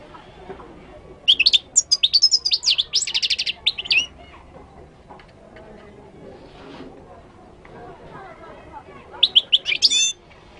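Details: Moroccan goldfinch song: a dense, quick run of high, sweet, twittering and buzzy notes lasting almost three seconds, then a pause and a second short burst of tinkling trills near the end, with faint room noise.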